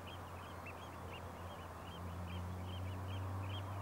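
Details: Common greenshank giving a rapid, steady series of short, high, looping notes, about four per second for nearly four seconds, over a constant low rumbling hum and steady background noise.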